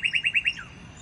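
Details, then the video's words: Northern cardinal singing, meant for training other songbirds: five quick, bright repeated whistled notes, then a single falling slur, with faint low hum behind. "SOUND CARDINAL NORTHERN BIRD"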